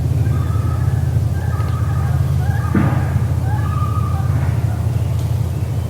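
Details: Common loon recorded at dawn on the Maine coast: long, mournful wavering tones repeated several times over six seconds, set against a heavy low drone of fishermen's boat motors.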